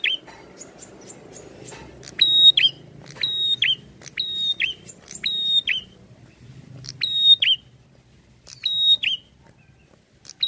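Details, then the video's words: Prinia, a prenjak in full song, giving loud phrases that open with a sharp tick, hold a high steady whistle, then drop in a quick downslurred note, repeated about once a second after a few thin ticks; faint low hum underneath. "PRENJAK GACOR NARUNG"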